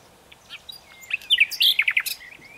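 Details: Common nightingale phrase of rising whistles and several loud, sharp chirping notes in quick succession, ending abruptly.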